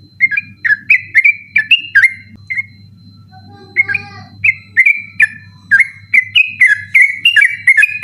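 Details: Sooty-headed bulbul singing tirelessly at night, a recording for training other birds; bursts of quick whistled notes, a short gap near the middle, then a long lively run of rising and falling whistles over a low hum.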